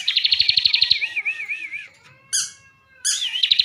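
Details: Bar-winged prinia from Slawi, Tegal, Central Java, kept caged, delivering a rich fill-style song: a fast high trill sliding into a wavering warbled note, then two sharp chipping bursts and the trill again.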